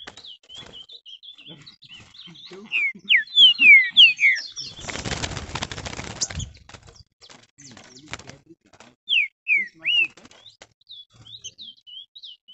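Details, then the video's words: Green-winged saltator, worked up and singing hard: loud slurred whistles falling in pitch, delivered in a quick run of three or four notes, repeated a few seconds later, with a burst of fluttering wing noise between and faint chirps throughout. "esquentando trinca ferro, ficou louco"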